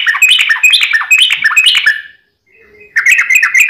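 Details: Trucukan, the yellow-vented bulbul, singing a long rapid 'ropel' used as a lure for caged birds: busy tumbling chirps and warbles crowded together, falling silent for about a second before a fresh burst of quick notes.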